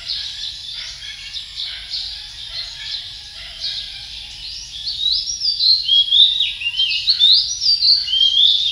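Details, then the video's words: Male Philippine magpie-robin song: a soft, busy background twitter gives way after five seconds to loud, clear whistled phrases that swoop up and down, some slurred and rising, others bright and ringing. "Male Philippine magpie-robin song"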